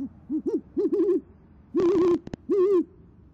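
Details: Great horned owl pair at an Oklahoma City nest, 6:54pm, 28 January 2014: the female hoots to call the male and he answers. Quick run of soft, low hoots, then two longer, slightly wavering hoots half a second apart.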